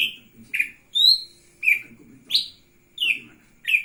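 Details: Lesser green leafbird in full song, spreading its wings, giving bright slurred whistles roughly every half second, some rising then dropping, over a faint low background murmur.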